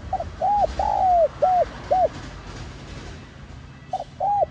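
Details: Spotted dove (cu gáy) with the 'giọng son' voice, a calling and urging coo (gáy gọi - thúc): a short note, then a long arched coo and three rounded coos, with a further pair of coos after a quiet pause.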